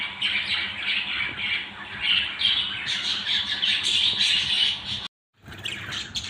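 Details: Several budgerigars of one family chatter in quick, scratchy warbles and high chirps, growing busier midway, then a sudden short silence before the chattering returns.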